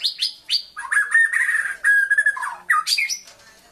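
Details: A white-rumped shama in Kuching sings three quick high whistles, then longer, throatier mid-pitched phrases, ending with bright rising whistles; this bird is said to mimic a rooster's crow.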